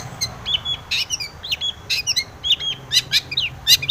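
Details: Long-tailed shrike singing as a lure to provoke rival shrikes, a busy jumble of sharp chirps, short whistled slurs and scratchy notes, delivered in quick irregular bursts without pause.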